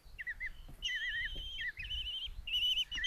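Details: Common kestrel chicks, five young in a nest box at Tiszalök, Hungary, on 27 June 2024, begging as their mother brings a mouse for breakfast. Wavering, whistled calls, short bursts at first, then longer drawn-out trills overlapping.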